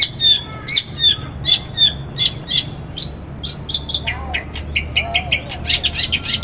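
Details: Morning song of a long-tailed shrike, played to provoke other shrikes into singing. Clipped, high notes repeat roughly every half second, mixed with brief whistles and rasping chatter that speeds toward the end.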